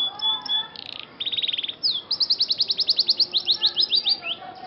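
A Scotch Fancy canary sings a bright, high song of rapid trills and repeated rising whistled notes, about three to four per second, with no other sounds.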